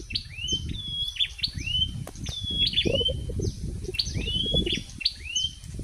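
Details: A wild prinia sings toward evening outside a house, giving fast chains of thin, upswept whistled notes and short downslurs in repeated phrases, with constant low rumbling noise beneath.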